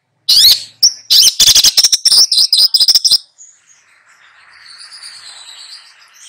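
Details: Tutoring two young birds, a long-tailed shrike pours out a rapid string of sharp, chattering high notes for about three seconds, then falls quiet apart from faint distant twittering.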